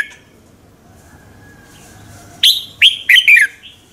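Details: Morning song of a red-whiskered bulbul, the kind of contest singing used to train and excite other birds. After a quiet start comes one loud phrase of four clipped, whistled notes, the final ones slurring downward.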